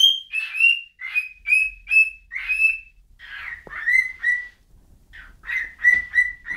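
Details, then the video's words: Repeated clear whistles from a bird, fairly high at first, then stepping lower with a brief pause, ending in a few quick level notes. A faint low rumble sits underneath. "whistling bird"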